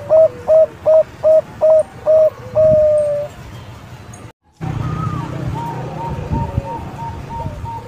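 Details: Young Bangkok zebra dove singing, used as a lure for other doves: six loud clipped coos at an even beat, then a longer drawn-out note. After a brief break, soft distant cooing continues.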